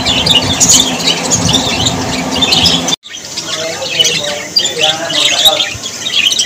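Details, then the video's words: Budgerigars squawking and chirping, high busy chatter that drops out briefly after three seconds and resumes as a softer, scattered twitter. "Australian parrots voice ☺️ Parrots very happy 😊"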